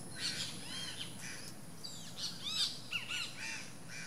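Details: Nesting least grebe calling in a busy string of short arched chirps and down-slurred notes, some louder peaks near the middle, against a constant low hiss.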